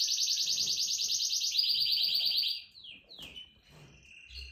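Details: Canary singing: a fast, loud buzzy trill of rapidly repeated notes, shifting to a lower trill after about a second and a half, then fading into softer slurred whistles and quiet chirps.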